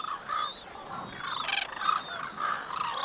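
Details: Courting white-naped cranes calling to each other, female with quick high short notes, male with longer lower pulsed calls; overlapping honking phrases, somewhat softer and more blended, with one brief louder burst mid-clip.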